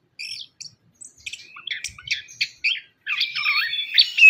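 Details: Orange-headed thrush lure song, a dense rambling medley of chirps, slurred whistles and buzzy notes growing louder toward the end.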